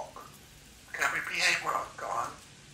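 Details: A 3-year-old female Congo African grey parrot, a pet at home, utters a short phrase of imitated human speech, a few word-like syllables in a thin, slightly nasal voice, in a quiet room.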